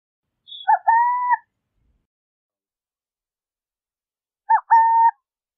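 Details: Burrowing owl repeating its two-part coo twice, about four seconds apart: a brief lead note, then a steady, drawn-out hollow tone.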